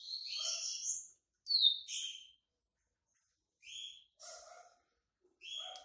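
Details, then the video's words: Yellow-bellied seedeater of the white-breasted form, coming out of moult: short bursts of high, buzzy chirps and trills in several separate phrases with brief pauses between. "COLEIRO BAIANO PEITO BRANCO SAINDO DE MUDA, CANTASSO"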